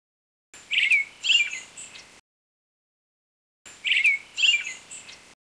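Brown-headed thrush giving a pair of short, high, slurred chirping notes, the same two-note phrase heard twice a few seconds apart, against quiet background.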